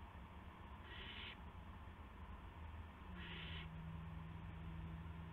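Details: Owl with a gopher for another owl, evening of March 18, 2016; two short harsh hissing screeches about two seconds apart, over low humming background with a steady tone.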